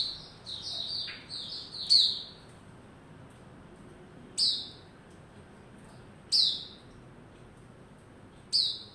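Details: White-rumped shama in captivity warming up on 27 December 2021: a cluster of several high whistles at the start, then single sharp, descending whistled notes spaced about two seconds apart in a quiet setting.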